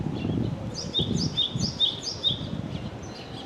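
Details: Wild Java sparrow singing: a run of high, sharp chirped notes repeated about twice a second, each with a bright upward flick, over low rumbling background noise.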